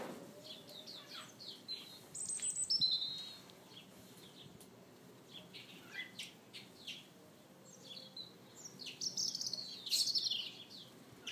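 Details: A kept pair of European bee-eaters give short, rolling, liquid 'prrup' notes in irregular bursts, calling over one another, with brief higher chirps.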